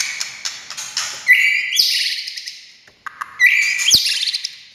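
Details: Song of the white-rumped shama (murai batu), played to make other shamas sing: rich ringing phrases opening with a clean whistle that bursts into buzzy, echoing upper notes, repeated twice.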